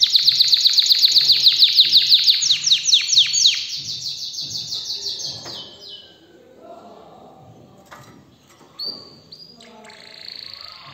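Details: Canary song, described as an excited canary: a fast run of repeated downward-sweeping high notes, about four per second, fading after six seconds into softer scattered notes and a few short high whistles near the end.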